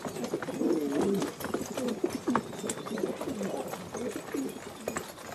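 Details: Filo pigeons produce clear, low rolling coos with wavering pitch, one bird prominent at the start, the others answering in overlapping phrases amid light clicks.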